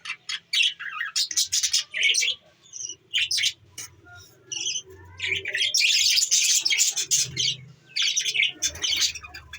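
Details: Budgerigars kept as pets chirp and warble busily on December 14, 2023. Short sharp tweets mix with longer raspy chattering runs, loudest around the middle, over a soft low background murmur.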